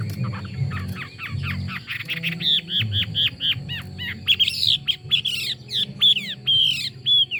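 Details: Singing hwamei with a rapid series of short downslurred notes that shift into louder, higher whistles and rising phrases, the song varied and energetic against a low steady hum.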